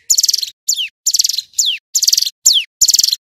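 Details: Male hill prinia in full 'nembak' song: three or four stuttering buzzy trills separated by downward-sweeping whistled notes, crisp and close.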